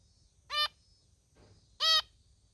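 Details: A female zebra finch (Taeniopygia guttata), a pet, gives two short, nasal 'meep' calls about a second apart.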